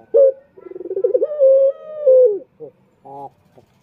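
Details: Male puter turtle dove lure call, Indonesia, meant to attract rival males: crisp initial note, then a wavering pulsed coo rising into a drawn-out tone that sinks at the end, with a brief low grunt afterwards.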